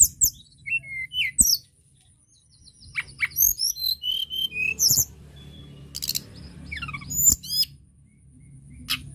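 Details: Mountain tledekan singing vigorously, used to prompt birds to sing: a rapid run of thin high whistles and sweeping chirps, with a short pause, then more descending trills and clicks.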